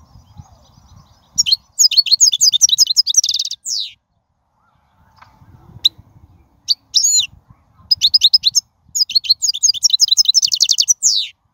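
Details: European goldfinch in the wild delivering long phrases of rapid tinkling twitters and trills, broken by a few seconds of near silence with faint low noise, then resuming with quick repeated liquid notes.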